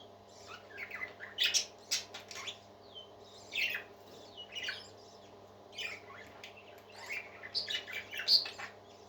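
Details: A group of happy parakeets in song: sharp clicks, squeaky chirps and scratchy warbles tumble in uneven clusters, loud then briefly quieter, over a soft constant hum.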